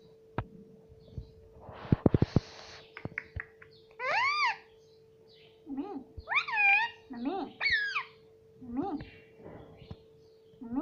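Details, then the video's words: Talking pet parrot imitating "mummy" and "papa": repeated short, swooping voice-like syllables at irregular intervals, with sharp clicks, a burst of rustling noise early on, and a steady background hum. "Mummy Papa Bolne Wala Tota || Talking Parrot"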